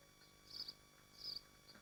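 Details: At a swift nest in Machynlleth, Dyfi Biosphere, filmed by a live camera: two brief, piercing buzzy screams about two-thirds of a second apart, with soft hum behind.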